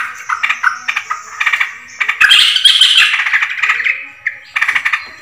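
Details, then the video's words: Yellow-vented bulbul calls used as a lure for trapping birds, recorded July 2024: dense chattering, squawky bubbling notes in rapid overlapping bursts, swelling louder in the middle. "pikat burung trucukan terbaru | paling ampuh"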